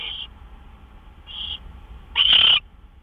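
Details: Owl at the nest around 12:09–12:12 AM on March 26, 2013, as gophers are delivered; two soft hissy bursts followed by a loud, rough screeching hiss lasting under half a second.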